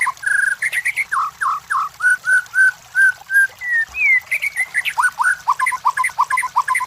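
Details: White-rumped shama song for provoking competition birds: steady repeated whistles at one pitch, a rising slurred note, then a varied quick run of short whistled and chattering notes.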